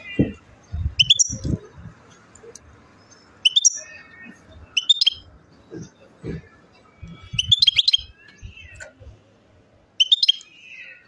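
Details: Goldfinch song recorded in Chouala commune, Mendes, Relizane, Algeria: brief clusters of sharp, high tinkling twitters repeated every two to three seconds over a quiet background with scattered soft low knocks.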